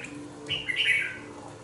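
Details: Young red-whiskered bulbul, two months old and kept in a cage, delivers one quick phrase of clear, rising and falling whistled notes. The background is quiet with a faint low hum.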